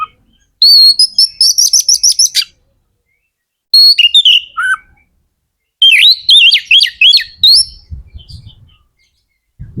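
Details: Magpie-robin song played to stir other magpie-robins into singing. A fast run of repeated high notes opens, then clear whistles drop and rise, ending with a burst of rapid, twisting phrases. Bursts are separated by short silences.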